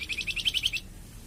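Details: Flamboyan bird song, used for training captive birds (masteran) and for prompting them to sing (pancingan). A quick run of about eight bright, even chirps in under a second, followed by quiet.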